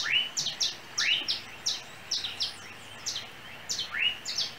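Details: Small yellow bird perched on overhead cables around a home in Trinidad, giving a chirping song: bright rising slurred chirps about once per second, mixed with short higher notes in between.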